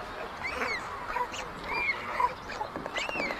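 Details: White stork chicks at a chimney-top nest in Ságvár, Hungary, 22 May 2024, as older siblings steal food from the youngest chick; thin rising and falling squeals and whistles repeat amid a hissy background, with no clear dominant caller.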